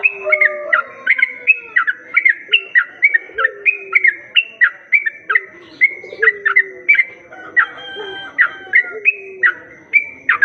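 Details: Sooty-headed bulbul played as a lure for other bulbuls: rapid, steady series of short clear whistled notes, each a bright flick that dips sharply downward, repeated about three times a second, over faint lower sliding whistles.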